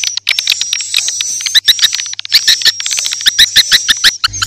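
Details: Lure sound of edible-nest swiftlets for swiftlet houses: quick clustered chirps and high twitters over a steady whistled tone, closing with a short low hum.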